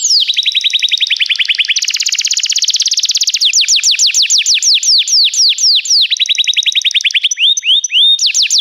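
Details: Canary training song with rapid flat trills, a dense rattle, then sharp descending notes repeated quickly and more trill phrases, continuous and high-pitched.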